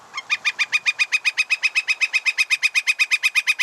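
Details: Northern Flicker's 'wick wick wick' call: a long, steady run of about twenty-four evenly spaced, ringing 'wick' notes, roughly four per second, with no other sounds.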